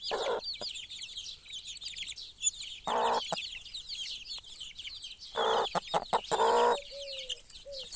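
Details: Broody hen with her chicks: low, short clucks in scattered clusters beneath a constant chorus of high, thin peeping from the chicks.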